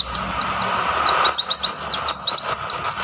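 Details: Mountain white-eye in wild mountain habitat of Mount Lawu, Tawangmangu. A short, dense run of thin, high, sliding notes, each dipping and rising quickly, delivered in an energetic chattering stream.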